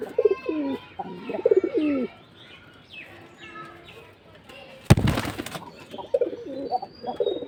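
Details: Pigeons in a home loft, several birds calling from different corners and inside the house, give deep, throaty coos in quick rolling bursts, pausing midway for a brief rush of wing-flapping before the cooing resumes; they call constantly and fight.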